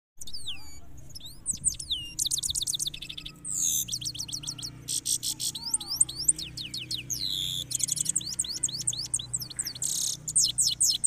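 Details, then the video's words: Caged European goldfinch in a red cage singing a rolling song: dense, fast high twittering with rapid buzzy trills, sharp rising and falling whistled slurs and tinkling notes, almost continuous throughout. "Goldfinch singing rolling in red cage on goldfinch"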